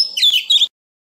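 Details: {'caption': 'Brief Oriental magpie-robin phrase in a wild-type voice, used for training young birds: a harsh, slightly buzzy burst of high notes lasting under a second.'}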